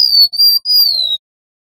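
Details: Pure sliding whistles from wild golden-bellied gerygones, male and female, in the long nyuling style used as a trapping lure. Three clean notes each drift downward, the last longest, then the clip falls silent.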